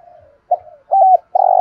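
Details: Spotted dove with a 'thổ sấm' voice style, delivering many song phrases. Soft low coos lead into loud, steady hooting notes near the end, with a brief gap between them.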